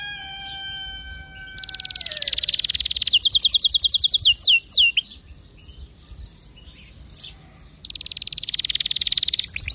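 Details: Steady flat tones open, then a canary breaks into a long, fast, rolling trill, followed by quick repeated high notes and sweeps, a quieter pause, and another dense trill.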